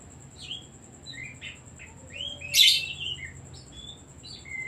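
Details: Oriental magpie-robin (kacer) singing, used as a lure to stir other birds into song: varied whistled notes and sweeping slurs, with one loud harsh burst mid-phrase, over a steady faint high background tone.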